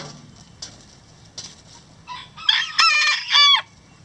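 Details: Hens in a farm chicken coop giving loud, harsh, buzzy squawks in two bursts near the end, after a few quiet clucks and scratching sounds.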